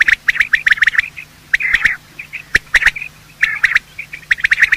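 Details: Male and female quail calling in the morning, a lure for quail hunting: chattering squawky notes in short groups, a hoarse buzzy phrase, and sharp clicks between.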